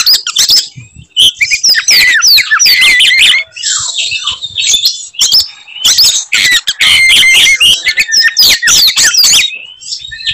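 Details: Caged Oriental magpie-robin singing aggressively in fighting mode, meant to provoke other magpie-robins: loud, dense bursts of harsh buzzy notes mixed with sharp whistled sweeps and rapid chattering phrases, briefly pausing then resuming.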